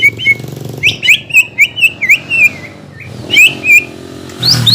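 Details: Greater green leafbird song played to stimulate birds after moulting: a series of short, twisting whistled notes in quick succession, a brief lull, then more whistles, over low background hum.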